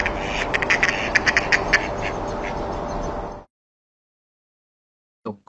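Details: Male Mallard nocturnal flight calls: short, rasping calls in a quick, uneven series over steady background hiss, then silence before one last brief call.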